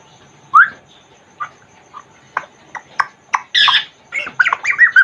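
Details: A Congo African grey parrot, caged, produces a sharp whistle, several soft clicks, then a harsh squawk and a quick jumble of chattering notes.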